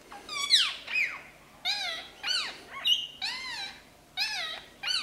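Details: Tame Indian ringneck parakeet with two wild green ringnecks: a run of harsh, shrill, arching squawks, repeated roughly every half second to second, some overlapping, against a low background hum.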